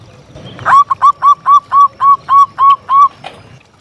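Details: Local zebra dove in lively song, played to provoke and attract other doves: a clear run of nine evenly spaced, rounded cooing notes, each short and slightly rising, about four per second, over a quiet background.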